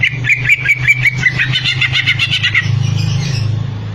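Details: Greater green leafbird giving a rapid, slightly buzzy chatter of repeated notes for about two and a half seconds, then falling quiet while a loud low mechanical hum continues.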